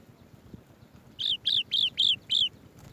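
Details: Swallow-tailed bee-eater bringing bees to feed its chicks: five short, clear, downslurred chirps given in quick succession over about a second and a half, with a faint low rumble underneath.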